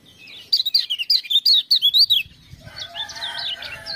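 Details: Lemon-bellied white-eye, a caged bird in full song, prompted by ciak-ciak sounds: quick bursts of high, twittering notes in a rapid run, then a softer, scratchier chattering phrase with lower whistled tones beneath.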